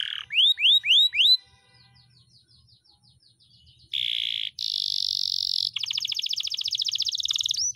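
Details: Canary tutor song, long and rolling: four loud rising whistles, a faint murmuring pause, then a steady buzz, a higher sustained buzz, and a fast rattling trill that runs to the end.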